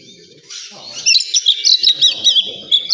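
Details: In a bird-song contest area, oriental magpie-robin song rings out as quick, high whistled notes and chirps in pulsing bursts, with faint speech from onlookers behind.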